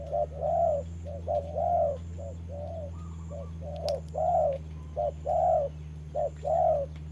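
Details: Trapping decoy spotted dove dueling with a wild bird in the rain; rhythmic series of hollow coos, quick short note then longer swelling one, repeated about every second, with a constant low hum.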